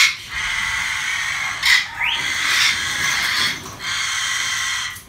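Yellow-headed amazon giving harsh, raspy squawks in long grating bursts, with one brief rising screech partway through.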